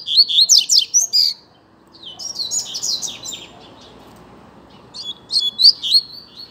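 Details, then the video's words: Caged Double-collared seedeaters competing in song. A series of loud, rapid, high whistled slurs is followed by a softer, scratchier passage, then another bright cluster of sharp notes. "Coleiro Disputa de Canto"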